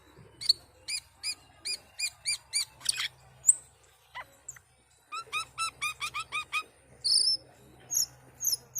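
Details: Asian pied starling singing persistently: a steady run of short, bright, harmonic chirps about three per second, a louder harsh note near three seconds, a brief pause, then faster ringing notes and high thin whistles, over a low steady hum.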